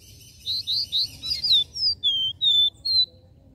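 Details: Regional 'Dó Ré Mi' three-note song of the capped seedeater (caboclinho), meant for firing up other caboclinhos: a steady chain of ten pure, high whistles, the first ones rounded and repeated, the later ones longer and gliding downward.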